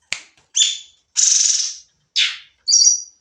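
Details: Sooty-headed bulbul from a training recording in 'nembak' style: a click, a twangy chirp, a long harsh buzz, another rough note and a final high whistled flourish.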